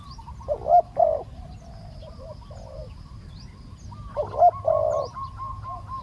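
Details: Spotted dove cooing during live decoy luring of a wild bird; two fairly quiet bursts of low hollow coos separated by a long pause, with faint higher twitters from other birds behind.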